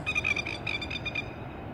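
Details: Plovers at Tuross Head beach, in a clip about plovers attacking, give a rapid series of sharp, high, ringing notes, about seven in just over a second, then fall quiet; a low background rumble persists.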